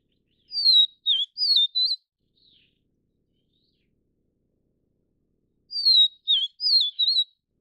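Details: Vivid niltava (Taiwan subspecies Niltava vivida vivida) feeding chicks, giving two phrases of four high, clear whistled notes that slur up and down, about five seconds apart, against a quiet background.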